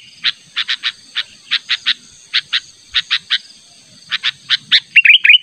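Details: Sooty-headed bulbul calling persistently toward a rival in a natural lure recording: clean, separated chirps in groups of two or three, ending with a short quavering bubbly phrase, with a quiet background.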